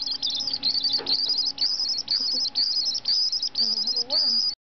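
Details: White-throated swift (Aeronautes saxatalis), a rescue patient at Project Wildlife, San Diego, calling in shrill, high, rapid chattering trills in quick bursts about every half second, with a faint human voice near the end.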